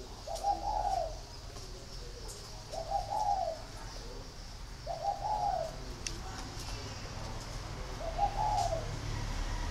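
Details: Caged spotted dove delivering four evenly spaced, low, breathy coo phrases about two to three seconds apart, each rising slightly then fading, over a constant low rumble.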